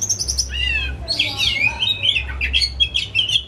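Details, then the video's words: Caged pet Oriental magpie-robin in excited, loud song, used as a lure to get a silent bird singing. Rapid twisting whistles and buzzy slurred notes run together in a dense, fluent phrase over a faint low hum. "Kicau Kacer Rumahan Emosi Buka Ekor Ngeplong Terus"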